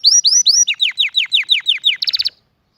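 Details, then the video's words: Canary singing a quick run of rising swooping whistles, then a series of falling slurred notes and a brief bright trill at the end. "the most beautiful voice of the canary"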